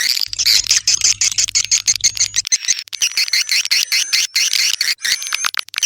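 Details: A continuous stream of shrill swiftlet chirps and twittering calls, many birds calling over one another. A faint low hum sits underneath early on, and steady high pure tones persist throughout.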